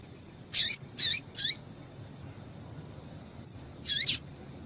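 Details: Female rusty-collared seedeater call to stimulate male song: three quick, high, slurred chirps in a row, a pause of over two seconds, then a final doubled squeaky note; soft background hiss.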